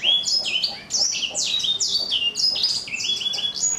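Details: Four-month-old black-throated canary with a rough yet crunchy "kriuk-kriuk" voice, singing a fast run of high chirps and downward-sliding notes with short pauses between bursts.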